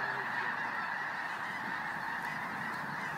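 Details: Snow geese gathered in a very large flock in South Dakota call all at once, forming a constant wall of clamorous honking that stays steady throughout.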